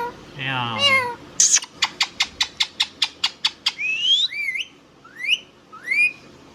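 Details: Indian ringneck parrot gives a rough speech-like phrase, then about ten sharp clicks repeated evenly roughly every quarter second, followed by several twisting, upward-sweeping whistles.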